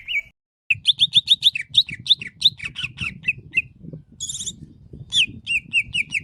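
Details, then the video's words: Singing greater green leafbird (cucak ijo): quick series of sharp, high chipping notes repeated about three per second, with a brief buzzy burst in the middle and more repeated chips afterward; low rumble beneath. "SUARA MASTERAN CUCAK IJO GACOR%100"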